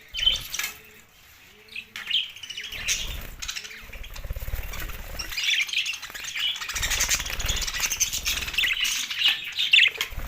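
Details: Pet budgerigars chatter in scattered high chirps that swell into a dense, continuous twittering. Low cooing is heard early on, and occasional rustling thumps sound in the background.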